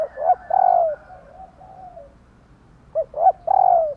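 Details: Female spotted dove calling so that males will coo back. Two phrases of short rising notes, each ending in a sustained downward-sliding coo, with faint softer cooing between them.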